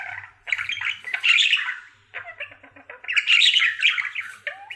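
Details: Happy male budgie, a pet bird, in his everyday singing session: two dense bursts of raspy warbling and chatter separated by a short lull of softer clicks and ticks.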